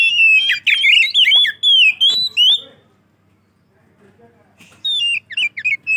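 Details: White-rumped shama singing boldly, played as a lure for other shamas: rich, swooping whistled phrases with rapid slurred notes for about two and a half seconds, a pause, then a further burst of bright whistles.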